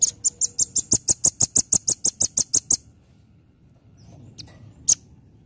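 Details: Velvet-fronted nuthatch (locally rambatan) singing actively in the 'nembak' style: a fast burst of about fourteen sharp, very high chipping notes, evenly spaced over under three seconds, then near silence with one more isolated chip.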